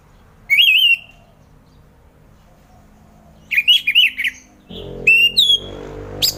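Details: Orange-headed thrush song for morning therapy of caged thrushes that will not sing; a loud wavering whistled phrase, a pause, then rapid jumbled whistles and clear slurred notes over a low rumbling background.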